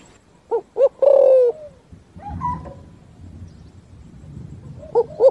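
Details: Spotted dove in a forest setting, 'thúc gù' style song: two short low coos and a long falling coo, then a stretch of low rumbling background noise before two more short coos close the passage.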